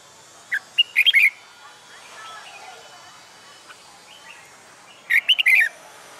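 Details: Newly caged red-whiskered bulbul being trained for fighting song sings two short, loud phrases of rich slurred whistles, one near the start and one near the end, with soft background chatter between.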